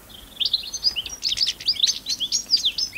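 A European goldfinch sings a rapid, tinkling jumble of high twittering notes and liquid trills, bright and fast-paced throughout.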